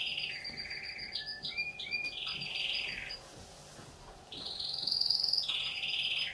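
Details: A young canary practising its song: a series of clear whistled slurs and buzzy trills, a brief quieter gap, then a louder high sustained trill with rattling notes; faint background hum.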